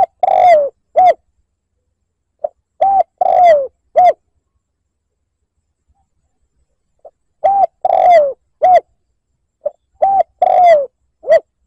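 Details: Spotted dove cooing as a lure to provoke a rival, in the liêu lỡ style: clustered phrases of soft pips, short rounded coos and longer downslurred coos, delivered in bursts with gaps of silence between.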